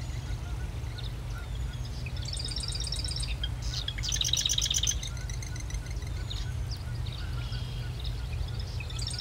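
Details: Marsh wren delivering repeated quick chattering trills, each a dense series of sharp high notes, one louder burst near the middle, over a constant low droning background.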